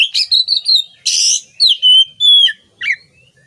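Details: For training songbirds, an Oriental magpie-robin sings loud clear whistles, long steady and gently falling notes, broken by a harsh buzzy rasp and ending with sharp downslurred notes.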